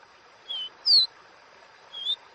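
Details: Copper seedeater singing its 'Dó Ré Mi' style wild song: three clear, separate whistled notes about half a second to a second apart, the middle note highest and loudest, over a faint steady background hiss.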